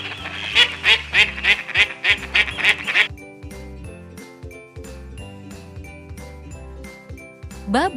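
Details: A duck gives a fast series of rough, nasal quacks, about three per second, for three seconds. Background music plays throughout and continues alone afterwards.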